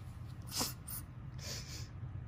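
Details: Pet female blue-and-gold macaw keeps up her habitual fake crying, two breathy sniffles, one sharp near the start and a longer softer one after, as her owner comforts her in a small room.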